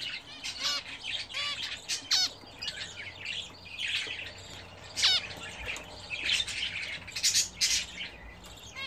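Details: Budgerigars kept as a home hobby in a cage, bathing for the first time in an attached bath. A lively stream of chirps, squawky notes and downward-sliding tweets chatter on, several birds calling over one another.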